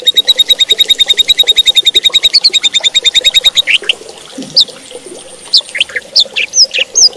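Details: White-rumped shama song, used to provoke other shamas into singing more and more aggressively: a fast run of about twenty high, evenly repeated chips, then varied, sharp, slurred whistles, with low background hum.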